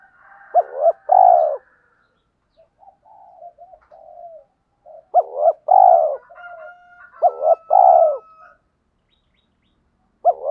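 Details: Spotted dove decoys, male and female, coo to provoke wild birds into fighting. Three loud phrases, each clipped notes then a drawn-out hoarse coo. Softer broken cooing fills the gaps, and a faint steady whistle-like tone runs through.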